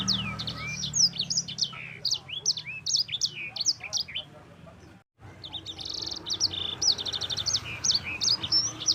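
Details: Yellow-fronted Canary (mozambik) singing long 'ngeroll' phrases: dense streams of sharp high chirps and slurred whistles with rattling trills, a brief break around the middle, then a renewed rapid run over a rumbling background.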